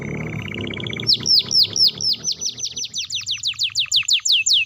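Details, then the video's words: Canary in full song, played to get silent canaries to answer: a short low trill, then a loud series of high, clear downslurred whistles repeated about twice a second, speeding into a rapid chattering run. "sekali putar suara burung kenari gacor ini di jamin bakalan nyaut bunyi"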